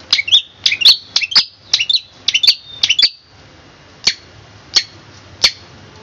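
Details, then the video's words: Long-tailed shrike (cendet) master song in the 'tembakan kristal' style, recorded for training birds: a rapid three-second burst of sharp, high, chattering notes, followed by single piercing notes spaced under a second apart, over a faint low hum. "Masteran cendet suara tembakan kristal"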